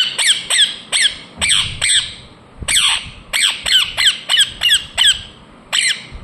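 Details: Rapid bursts of shrill, grating screeches from an Indian ringneck parakeet, each note sliding downward, delivered in quick irregular runs with a brief pause midway.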